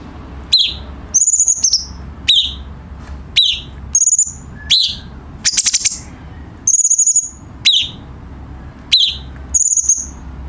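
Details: Song of the cucak cungkok bulbul as tutor material for captive birds: lively series of high whistles and sharp descending chirps with a brief buzzy burst, clearly heard over a quiet background.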